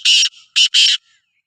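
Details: Black francolin, the Sindhi kala teetar, uttering three loud grating syllables, long, short, long, each a harsh buzzy rasp, with a faint trailing note afterwards.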